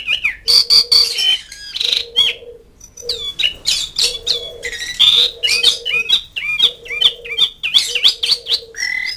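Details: Asian pied starling calling to companions and rivals, pouring out dense chatter of scratchy squawks, clicks and bright whistled slurs, with a recurring low droning pulse beneath.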